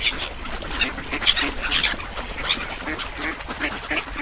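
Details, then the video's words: Short, nasal duck quacks come in quick irregular bursts from a flock, some calls standing out sharper above the general chatter. "LISTEN TO THE QUACKING SOUNDS OF DUCKS"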